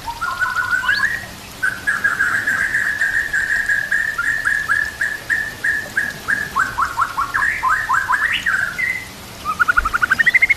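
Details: White-rumped shama singing a training song filled with imitations of kapas tembak and cililin canary: rapid runs of short repeated notes, a long steady trilled passage, then falling slurred notes and a quick rising series at the end.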